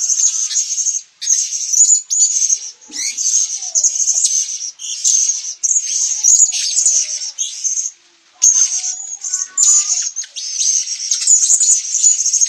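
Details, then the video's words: Blue-crowned hanging parrot from Sabah, Borneo: dense, shrill, very high-pitched chattering in bursts of about one second, broken by short pauses, with faint lower whistled notes from another bird in the background. "serindit sabah"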